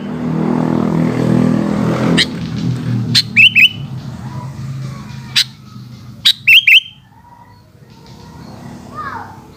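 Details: Sooty-headed bulbul song in the afternoon. Rumbling noise fills the opening seconds. Clipped phrases of quick rising whistles with sharp clicks follow, and a faint descending note comes near the end.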